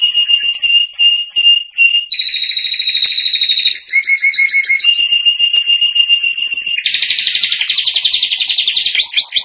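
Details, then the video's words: Canary singing to train young canaries: a few spaced whistled notes, then unbroken rolling trills that step between pitches and end in a fast bubbling roll. "canary singing for training"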